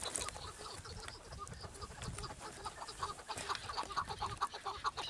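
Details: Chukar partridge giving a lower, clucking series of rhythmic chuck notes, a little over two per second, with some background noise beneath.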